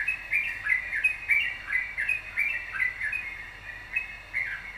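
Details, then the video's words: Yellow-vented bulbul, actively singing, recorded as a lure to stir other birds into song: fast, bubbly run of short chirps, roughly three notes a second, rising and dipping in a rolling pattern. "pancingan trucukan gacor"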